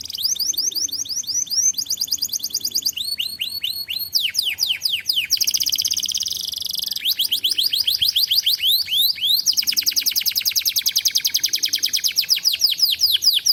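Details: Lure song of a canary for young birds learning to sing: loud, continuous runs of rapid high sweeping notes and fast trills, switching between phrase types every second or two, with few pauses.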